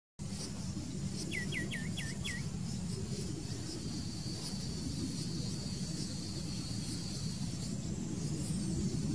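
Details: White-winged becard (Pachyramphus polychopterus) singing at Reserva Ecológica Costanera Sur, Argentina: a quick run of five soft, clear whistled notes, then silence, over a steady low rumble and a thin insect-like hum.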